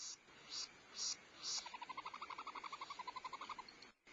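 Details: Barn owls at a nest box watched by camera at Starr Ranch on 14 February 2011, female feeding owlets as the male delivers prey: three harsh hissing bursts, then a fast run of about twenty clicking, twittering notes before a sudden break.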